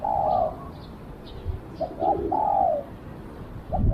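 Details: Spotted dove used as a decoy for wild doves, a long coo, then two brief notes and a drawn-out falling coo, with faint high chirps and outdoor rumble.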